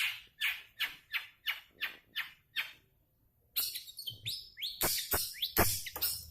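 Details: Long-tailed shrike: a row of rasping, scratchy notes fading slightly, a short gap, then a jumble of varied sharp chirps, slurred whistles and clicks.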